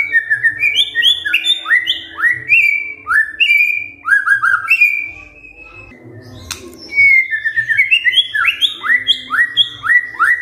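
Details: White-rumped shama in kretekan fighter style, used to provoke silent shamas into answering: rapid runs of short rising whistled notes stacked in quick steps, a brief pause near the middle, then more fast chattering phrases.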